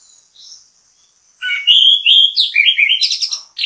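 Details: Orange-headed thrush bait song to make other birds join in: faint high notes, then a loud flowing series of clear whistled phrases stepping up and down, ending in buzzy high notes.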